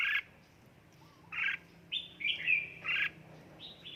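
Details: A pet red-whiskered bulbul, described as timid, filmed at home in Gia Lai during song training, gives short, bright, warbling phrases, each under half a second, in quick bursts with brief pauses between them.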